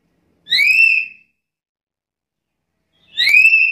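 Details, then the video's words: Two shrill, upward-sliding whistles from a vocally active black-capped lory, about two and a half seconds apart, the second starting with a brief sharp click, in an otherwise silent recording. "Suara burung nuri kepala hitam gacor"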